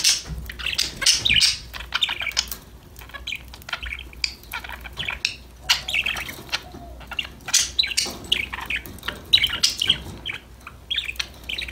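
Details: Budgies chirping, singing and chatting with each other during play: loud, rasping warbles and shrill squawks in irregular bursts, with quieter gaps and a soft steady hum.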